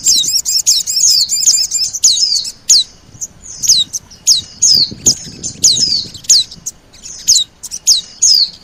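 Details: Oriental white-eye lure sound used to attract birds: a fast run of high twitters, then a series of separate thin, sharply downslurred whistles, about two per second.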